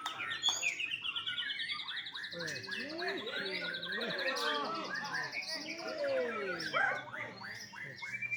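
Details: Captive young white-rumped shama in Bali sings a long, fast trill layered over varied whistled phrases, with lower swooping notes filling the middle of the song.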